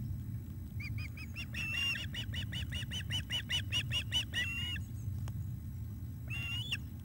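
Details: Fish delivery by the male osprey to the female at Loch of the Lowes, July 2021 evening: a long, fast series of about twenty repeated whistled chirps, rising in strength, ending in a drawn cry, then one more cry after a pause.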